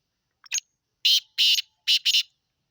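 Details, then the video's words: Black francolin (kala teeter) in Sindh, Pakistan, giving a harsh, grating call: a faint thin note, then four loud rasping bursts in two quick pairs. "Kala Teeter"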